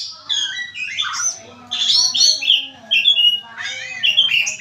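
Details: An oriental magpie-robin delivers loud, fluid song phrases: clear whistled slurs, rolling warbles and sharp upswept notes in three main bursts separated by brief pauses, over a faint low background hum.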